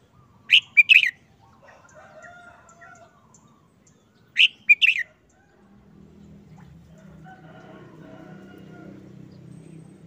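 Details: Caged, molting red-whiskered bulbul singing two identical short phrases of three quick, bright whistled notes, about four seconds apart, with faint crowing-like tones and low hum in the background.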